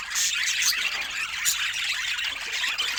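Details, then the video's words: Pet budgerigars chirping together: a dense, continuous warbling chatter of high squeaky notes with no pauses. "Budgie Love Moments with Funny Sweet Chirping Sounds"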